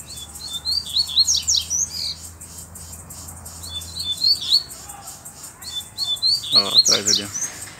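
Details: Black male double-collared seedeater with bluish-white bill, singing firmly to challenge a rival to fight (often mistaken for courtship): fast bursts of high chirps and slurred whistles, a low hum, then brief talking toward the end.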